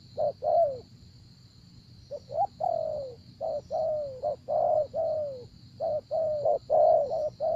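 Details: Spotted dove cooing during decoy calling: dense runs of clipped coos and longer downward-sliding coos in quick succession, with barely a break. A constant high-pitched buzz and a faint low rumble run in the background.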